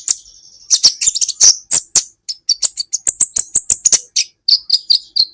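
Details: Sunbird called kolibri ninja, in a recording meant to train songbirds: thin high trill, then a rapid series of sharp, evenly spaced high chips and short whistled notes.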